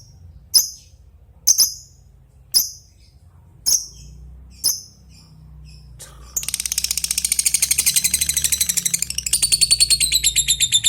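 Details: Lovebird challenging an opponent: five sharp, separate chirps about a second apart, then a long, fast, buzzy ngekek trill of high pulses that rises in pitch toward the close.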